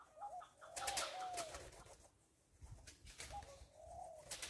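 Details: Rock dove on a farm giving two drawn-out, gently wavering coos against heavy rustling and broadband background noise.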